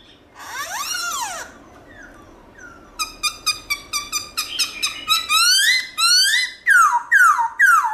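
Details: Black-throated laughingthrush giving its many-voiced wild song, loud and clear. A swooping rising-falling note is followed by soft fragments, then a quickening series of sharp, ringing whistled notes that grows louder.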